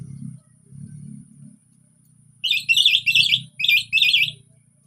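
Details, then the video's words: Relaxed orange-headed thrush song used to prompt quiet birds to sing: after a low murmuring background, four buzzy, scratchy high phrases follow in quick succession. "KICAUAN SANTAI ANIS PEMANCING ANIS MACET BUNYI"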